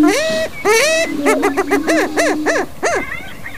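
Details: Male greater prairie-chicken in spring breeding display, strutting and dancing: a low, steady hooting tone under a quick run of rising-and-falling whooping cackles, about two a second.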